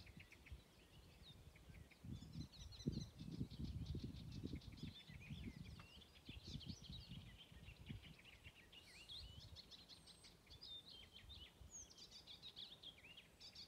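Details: Icterine warbler singing in June in Dyngelandsdalen, Bergen, Norway, recorded 2020: a fast, varied, chattering song of squeaky, nasal and whistled notes that runs on without pause, over low wind rumble.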